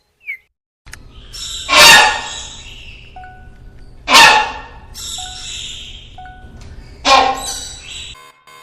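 A hornbill gives three loud, harsh, braying calls, each roughly two to three seconds apart, over faint whistled tones in the background.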